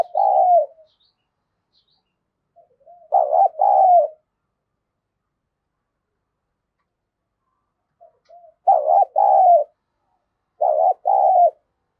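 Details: Spotted dove used as a decoy bird, cooing to provoke rival wild doves, singing in the thunder-voice style. Throaty cooing phrases of two or three mellow, wavering notes, repeated with long silent pauses between them.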